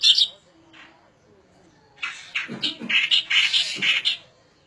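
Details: Song of the striated grassbird, a dense run of harsh chattering, grating notes delivered rapidly for about two seconds after an opening scratchy burst and a quiet pause.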